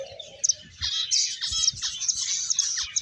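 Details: Several finches keep up a busy stream of bright, high overlapping chirps and quick downward-sweeping notes, with a soft lower note at the start and light rustling and tapping underneath.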